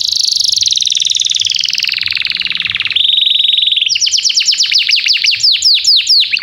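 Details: Canary singing vigorously as a lesson for young birds learning song: a long rapid roll that slowly drops in pitch, a steady whistled tour, then a burst of loud, sharp downswept notes repeated quickly.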